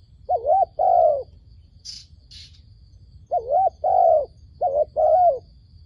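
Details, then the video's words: Dove coo used to lure doves to a trap, given as three paired phrases, each a quick wavering note then a longer smooth coo, with pauses between. A brief high chirp sounds in the first gap. "ឱ្យតែជួបលលកព្រៃ ធ្នាក់ហៅបរសឹងដាច់ខ្យល់"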